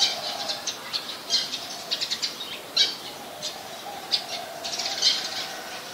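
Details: An Olive-backed sunbird in a mangrove forest gives sharp, high, dry chips at an uneven pace, roughly one or two each second, over a faint steady hum.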